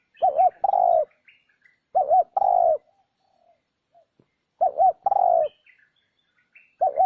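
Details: Spotted dove coos played to lure wild doves: steady mellow phrases of two short undulating notes then a lengthened falling coo, three full phrases and the start of a fourth, with faint chirps in gaps.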